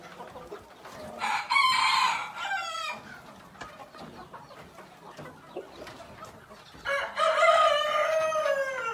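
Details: Black-tailed red Marans chickens kept in pens; a rooster crows twice, a drawn-out harsh crow near the start and another falling crow at the end, with scattered clucks and farmyard noise between.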